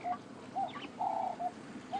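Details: A ring-necked dove calls during an afternoon safari drive at Djuma on 18 April 2016, near feeding elephants: mellow, mid-pitched coos, mostly short with one drawn-out note, and a faint chirp from another bird between.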